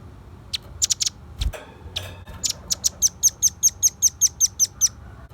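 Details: Velvet-fronted nuthatch, kept as a lure bird: a few scattered sharp chips and a brief rustle, then a steady run of about twelve high, piercing chip notes at an even, rapid pace.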